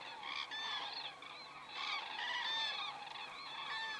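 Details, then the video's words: Common cranes flying over in Estonia, captured by a crane camera at 19:26 on 27 September 2017; several birds give loud, rolling, bugling calls that overlap continuously. "Cranes flying over"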